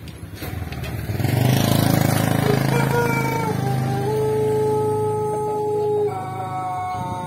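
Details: A Pelung rooster, stimulated by a hen placed beneath its perch, gives a long, drawn-out crow over a steady engine rumble.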